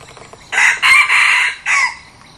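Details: Red junglefowl kept as a decoy for luring wild birds, a new bird being tried out, gives one clear four-part crow: brief sharp start, a drawn-out ringing middle, and a short falling end note.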